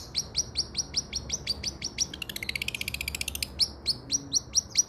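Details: A long-tailed shrike (cendet), used to make a stalled bird sing again, repeats a sharp high chip about twice a second. Mid-clip come a brief rapid rattling trill, then more of the steady chips.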